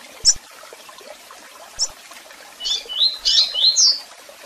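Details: Double-collared seedeater gives two isolated high chirps, then a burst of loud rising whistled notes that step upward to a bright ending; soft background hiss.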